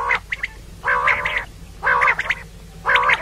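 Female common quail giving harsh, nasal, quacking notes, each about half a second long, repeated roughly once a second over a faint low hum.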